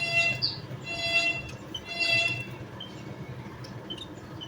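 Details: Javan munia giving short bursts of high, thin chirping notes in three clusters about a second apart, over a steady low rumble.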